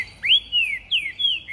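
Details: A caged green-winged saltator carried by hand along a street sings loud, clear whistled phrases, each note swooping up then sliding down, about three in a second and a half.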